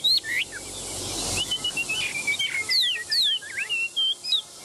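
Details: Tame selected Chinese hwamei on a café outing: lively whistled song of varied high notes, some steeply descending slurs, and a run of short, evenly repeated chirps near the end.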